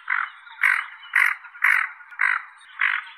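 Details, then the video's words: Common goldeneye giving six harsh, nasal, croaking calls in steady rhythm, roughly two per second, with nothing else clearly audible. "Как поёт Гоголь"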